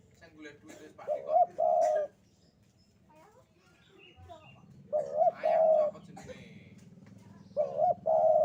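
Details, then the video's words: Javan spotted dove calling in the sandungan kuk 2 style, soft low coo phrases with a rising short note and a long held coo, over a steady low hum and some human voices. "Derkuku Jawa Gacor Sandungan Kuk 2"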